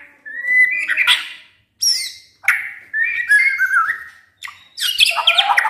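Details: Caged white-rumped shama, a household bird with no contest history, singing varied phrases: a steady whistle, scratchy rapid notes, short high slurs, ending in a dense chattering run.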